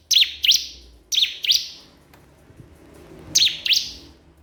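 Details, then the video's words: Crystal prinia calling a rival, giving paired sharp high chirps with rapid up-down sweeps, three pairs spaced by pauses of about a second, over quiet low background hum. "cikris/ciblek kristal gacor memanggil lawan"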